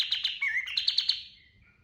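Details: Rapid trill of a kapas tembak bird, a lure song for training caged birds: pulsed buzzy notes at a brisk pace, a slurred whistle mid-phrase, then a fading thin whistled tail.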